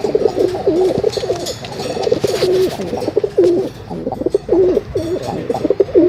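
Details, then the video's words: Dense, continuous pigeon cooing, with overlapping low, burbling phrases that rise and fall, leaving almost no gaps, with light clatter in the background. "कबूतर की आवाज || kabutar ki awaz || Pigeon Sound"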